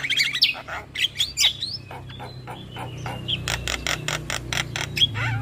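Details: Black-winged myna lure song for stressed, silent birds: quick whistled upslurs and harsh chatters, then a run of evenly spaced raspy clicks, with steady low background rumble.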